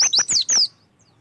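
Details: Short burst of Oriental white-eye song, used as a lure so the birds start singing: four quick, high, down-slurred whistled notes run together in under a second, then silence.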